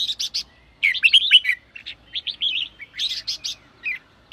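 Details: Bulbul song in the sổ bọng style, red-whiskered species, aimed at rousing newly captured birds: sharp buzzy triple chirps, then a fluent warbled run, softer mid notes and another buzzy triplet.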